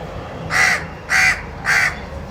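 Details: Crow giving three loud, harsh caws, each lasting about a quarter second and spaced roughly half a second apart, over a low background hum.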